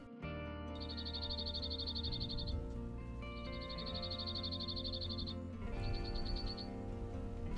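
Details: A cirl bunting in hedgerows at Labrador Bay in southwest England gives three dry, rapid, metallic rattles on one high note, each lasting one to two seconds, over loud background music.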